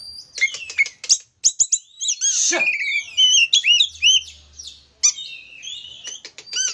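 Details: Kacer (Oriental magpie-robin) lure song to rouse another kacer: rapid clicks and chirps, a harsh rasping burst, then a series of looping whistled notes and sharp calls.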